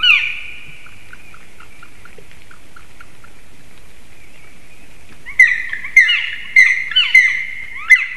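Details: Three wild black woodpeckers shouting at a black stork nest in Latvia, Sigulda municipality, on the morning of 30 March 2021, perhaps a territorial dispute. A long plaintive whistled note fades out, then a quick run of six sharp, ringing calls follows.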